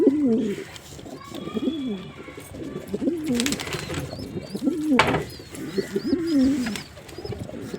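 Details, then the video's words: Several rolling, warbling coos from a male pigeon, each a low undulating phrase about a second long, with a few sharp clicks and faint high chirps of other birds behind. "Pigeon Sound Effect"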